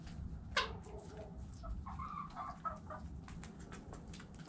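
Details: Chickens clucking: a sharp loud click near the start, then a cluster of soft, short harmonic clucks midway, over constant low-frequency background noise.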